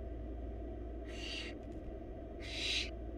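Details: Barn owl chick begging in a wild nest box while the mother feeds four young a rabbit; two separate hoarse hissing bursts about a second apart against a steady low hum.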